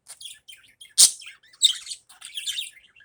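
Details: Budgerigar in the morning giving a quick run of high twitters, one sharp loud squeak, then dense warbling chatter.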